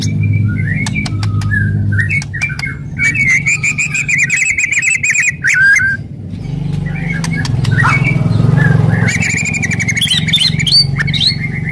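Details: White-rumped shama, aggressive, fierce song used to stimulate other shamas; loud clear whistled phrases with sharp clicking rattles and harsh bursts, mid-pitched and varied, over a constant low hum in the background.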